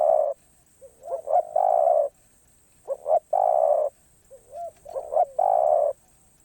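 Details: Song of a spotted dove in the 'karom pa roi' style, off cue. A long coo opens, then gentle gliding notes, short paired coos and another long drawn coo. The pattern repeats three times.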